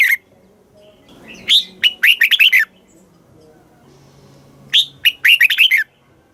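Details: Southern master-style song of a Thai caged red-whiskered bulbul, for stirring birds and training young: two loud bursts of about seven quick whistled, downward-slurring notes several seconds apart, with quiet low background sounds between.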